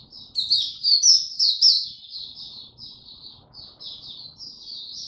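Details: High-pitched warbling song of an Oriental white-eye, recorded 25 January 2022 after a late night: loud, twittering notes at first, then a softer, steady stream of thin, sliding phrases that carries on to the end.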